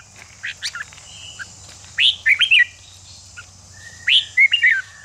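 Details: Red-whiskered bulbul singing to fire up other bulbuls before competition: two clear warbled phrases about two seconds apart, each a quick rising-falling cluster of whistles, with soft chips before.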